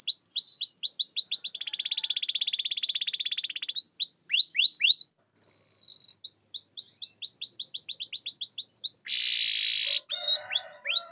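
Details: Canary song meant to draw reluctant canaries into singing: quick hooked whistles repeated rapidly, a long buzzy roll, more whistled runs, a short high trill, then a coarse rattle with some lower chattering notes at the end.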